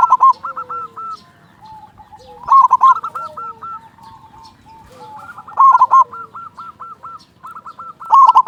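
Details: Loud local zebra dove singing as a lure to set other doves off. Two bursts of rich, rolling coos stand out against a continuous chorus of quieter, repeated hooked notes from more doves.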